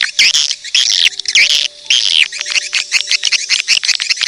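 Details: Edible-nest swiftlet lure calls played to attract swiftlets: dense, rapid, high-pitched chattering chirps in bursts, with brief gaps, over faint steady low electronic tones.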